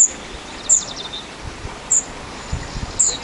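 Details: Spotted flycatcher at a nest active from 13 June to 13 July 2011: a few thin, very high, short squeaky call notes scattered over a steady background hiss.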